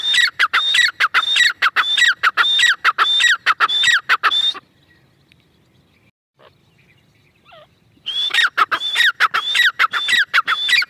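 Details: Female grey francolin giving rapid series of harsh, squealing notes, each a high whistle sliding down to a lower rasp, repeated steadily for about four seconds, then silence, then the calling resumes.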